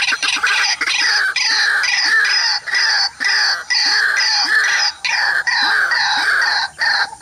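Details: Wild white-breasted waterhen coming to disturb another waterhen facing a mirror trap: loud, harsh, nasal calls repeated in rapid bursts with short gaps, rich and grating across a wide range, steady throughout.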